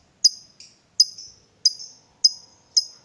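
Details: Lovebird giving single sharp high chirps, five in three seconds, each a bright clipped note with a short fading tail, with silence between.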